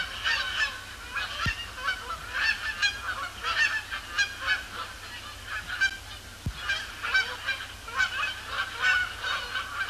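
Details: Flock of Canada Geese circling then landing on Sapsucker Woods Pond, Cornell Lab of Ornithology, on an overcast October evening after sunset; many overlapping honks in rapid, irregular bursts, with two brief knocks and a faint low hum.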